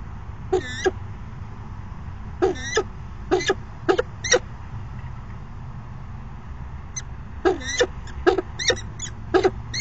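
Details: A pair of falcons at the nest box, 29 September 2016, afternoon courtship dance; clusters of two or three rasping chips separated by quiet gaps, the final seconds busier with closely spaced notes, low hum beneath.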